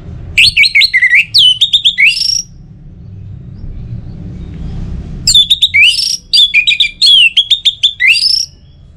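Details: Song of an Orange-headed thrush, from North Bali, played to spur other birds to sing: two rich bursts of varied loud whistled and chattering phrases, separated by a quiet gap of about three seconds.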